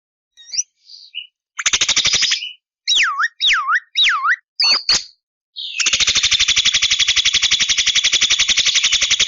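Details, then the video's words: Lively Javan myna song: scattered short chirps, then three wavy falling-rising whistles and a few quick swoops, followed by a sustained harsh buzzing rattle of rapid pulses. "JALAK KEBO GACOR DURASI PANJANG TANPA BANYAK JEDA !! BUKTIKAN jalak kebo bisa ngomong"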